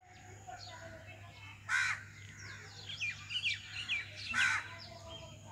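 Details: Common myna (Acridotheres tristis), an Indian bird, giving harsh, rasping bursts mixed with short whistled and chattering notes, loudest near the start and the end, over a steady low hum.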